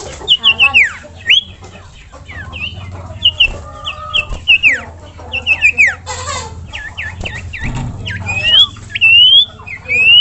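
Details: A common iora calls to set off other ioras singing. It gives many short, sharply down-slurred whistles in quick groups of two or three, with a few up-slurs near the end and clicking and low hum underneath.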